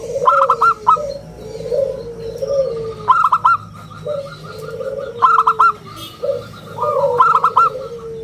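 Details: Local zebra dove with an exceptional round, crystal-clear voice, used as a lure and tutor: clipped, stuttering high coos repeat over and over while lower, drawn-out cooing notes sound steadily underneath.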